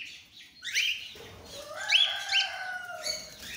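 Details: Cockatiels of several colour mutations giving rising whistles and chirps, one long steady lower tone underneath, amid soft fluttering.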